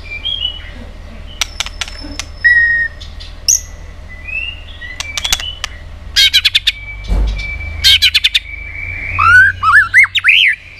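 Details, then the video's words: Many-voiced White-rumped shama song for stimulating and training other shamas; scattered short whistles and sharp clicks, a run of rapid snaps, a held whistle, and a closing series of looping up-and-down notes. "Chòe Lửa Hót Nhiều Giọng, Luyện Chòe Lửa Hót Căng"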